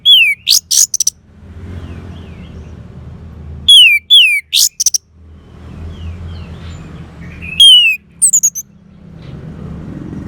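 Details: Orange-headed thrush singing for therapy to get a mute bird singing again: three bursts of loud falling whistles and sharp high notes about every four seconds, separated by soft distant whistles and low hum.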